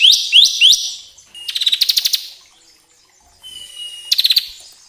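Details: Bar-winged prinia song used to get caged birds singing: three rising chips, then a fast rattling trill of even pulses, a thin sustained whistle, and another brief rattle.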